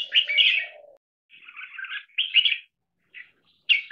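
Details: Trained caged red-whiskered bulbul (jambul) singing in a double-note marathon style. Loud, bright warbled phrases with a faint lower murmur at the start. Short phrases are separated by brief pauses and a final burst at the end.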